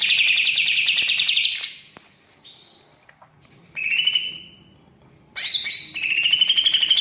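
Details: Persistently singing greater green leafbird with mimicry-filled song: clear sustained whistles, some rising, some flat, separated by short pauses, with a sharp burst before the final long whistle.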